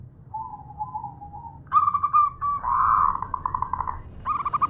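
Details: Female zebra dove of a local strain calling a male: a faint wavering coo, then louder rolling purred notes and a rapid stuttering series of short coos, over steady low background rumble.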